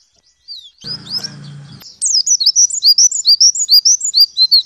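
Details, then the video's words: Warbling white-eye (pleci) tutor recording, 'nembak' style, for morning dew-time play: a few high slurred notes over a brief low buzzing, then a fast unbroken string of bright rising-falling chirps. "Masteran Pleci Nembak"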